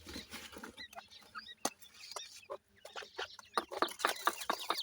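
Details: Ring-necked pheasant chicks scratching in soil, high brief peeps scattered among a dense run of crisp pecking clicks that grows busier toward the end.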